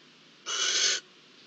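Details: Barn owl at a nest in a Spanish nature reserve during food delivery, mating and incubation of nine eggs, 26 October 2023; one harsh, hissing screech lasting about half a second, broad and noisy, over faint background hiss.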